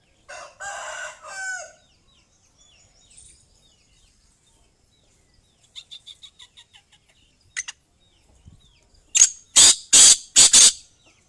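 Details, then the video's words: Black francolin hen, the kali madi, ending with four loud, harsh, hissing notes roughly half a second apart, after softer scattered chirps and a brief buzzy sound earlier. "Madia Kala Teetar Kali Madi Ki Awaz | black francolin female voice | کالی مادی کی آواز"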